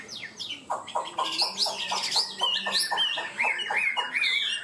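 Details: Chinese hwamei kept as a cage bird, delivering its high-pitched song. It opens with a falling whistle, then gives a fast series of sharp, repeated notes that climb into bright, high warbles.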